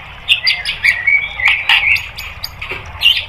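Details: White-rumped shama song used as training material for caged birds: a stream of short bright chirps and brief whistled notes, mostly high-pitched, with several louder bursts spread across the phrase over a faint low hum.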